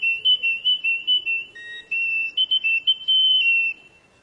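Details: Canary song of bright high whistled notes in quick pulsed bursts, then smooth sustained whistles with a short lower dip in the middle, ending in a long held tone that fades away.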